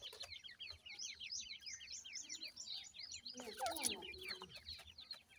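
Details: Baby francolins calling to their mother during feeding give a steady run of sharp, high downslurred cheeps, roughly several a second. A brief burst of rustling and clattery noise breaks in midway.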